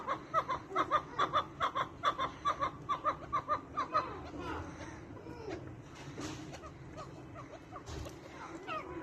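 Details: Chukar partridge, 75 maskati chakor, bred and kept in captivity: a rapid run of clucking notes about twice per second for four seconds, then fading into mixed background noise and faint voices.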